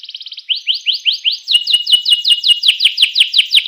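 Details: Canary song that is meant to rouse other canaries into singing: a quick fine trill, then loud upward-sweeping whistles repeated about four times a second, becoming sharper and denser toward the end.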